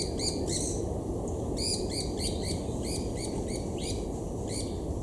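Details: White-eared Barbets mobbing and chasing a related Black-collared Barbet at Imvubu Lodge, KwaZulu-Natal, South Africa, in July 2019; harsh, buzzy chattering notes in quick irregular bursts over steady low rumbling background noise.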